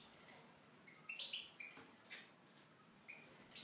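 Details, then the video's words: Tunisian goldfinch in an aviary, heard more softly: scattered high chirps and a brief twittering cluster near the middle over a background hiss. "chardonneret tunisien (volière)"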